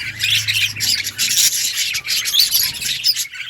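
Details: Budgerigars in an outdoor colony keep up a dense, continuous chatter of high, scratchy chirps and short twitters, overlapping without pause, with a faint low hum underneath.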